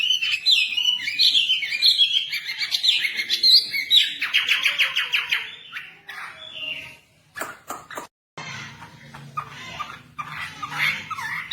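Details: Caged white-rumped shama singing in answer to a recording played for training. A loud, varied run of whistled and chattering phrases is followed by a fast series of repeated notes, then broken bursts over a low hum.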